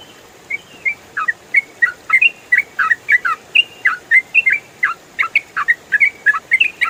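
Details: Trucukan, or yellow-vented bulbul, in the continuous ropel style, recorded as training audio for cage songbirds: a lively stream of short liquid whistles and chirpy slurs, several notes a second, against faint constant hiss.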